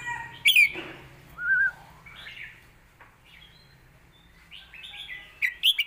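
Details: Red-whiskered bulbul song in the southern Thai competition style, for training young birds: a sharp rising whistle, a short mellow phrase, a pause, then bright quick notes returning at the end.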